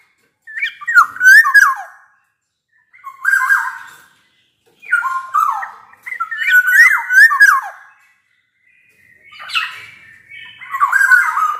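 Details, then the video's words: Loud, clear fluted song of a black-naped oriole, sung vigorously as a lure for lazy orioles: four liquid whistled phrases with swooping, falling notes, each about two seconds long, separated by short pauses. "Burung kepodang emas gacor | Suara kepodang gacor ini bisa di jadikan pancingan kepodang malas bunyi"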